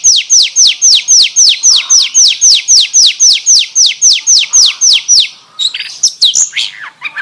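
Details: Oriental magpie-robin song in canary style: a regular series of ringing downslurred whistles, about four per second, breaking into mixed twittering and chattering phrases near the end.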